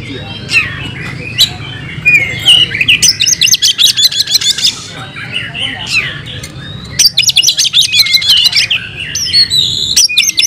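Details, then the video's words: Kacer, the oriental magpie-robin, caged, delivering fighting song: scattered whistles followed by two dense bursts of rapid high chattering notes separated by a quieter gap, steady low hum underneath. "Kacer gacor tarung bongkar isian"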